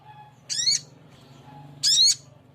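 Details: A male sogok ontong calls to a female: two loud, harsh, buzzy bursts about 1.3 seconds apart, each with stacked high harmonics, over a faint steady low hum.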